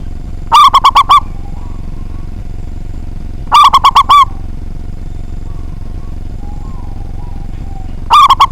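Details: Strong-voiced local zebra dove singing often to provoke rivals: three matching phrases of five staccato, ringing coos, each phrase repeated roughly every three seconds, with a constant low hum beneath.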